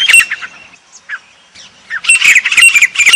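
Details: Grey francolin from Pakistan giving a high-pitched call: harsh, shrill chattering bursts, a short one at the start, then faint broken notes, then a dense run of rapid, raspy repeated notes through the last second.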